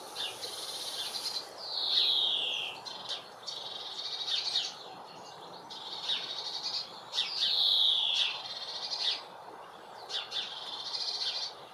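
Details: Female European greenfinch calling in a UK garden: two long, drawn-out wheezy buzzes that slide downward, about five seconds apart, interspersed with short high chirps and twittering notes.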